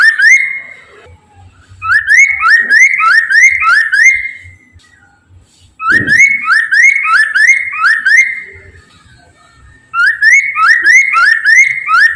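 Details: Red-winged laughingthrush singing continuously as a lure to get other laughingthrushes to respond: three bouts of loud, rapidly repeated rising whistles, each bout lasting about three seconds, with brief gaps between bouts.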